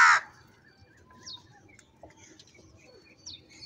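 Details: Crow during a squabble over food, giving a single loud raspy caw right at the start, followed by quiet scattered chirps and short whistles from other birds in the background.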